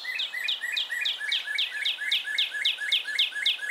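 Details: Northern Cardinal song heard in winter in eastern North America: a fast, even run of clear down-slurred whistles, about four each second, like "pretty pretty pretty" (song rendered "cheer cheer cheer pretty pretty pretty"), over a faint background hiss.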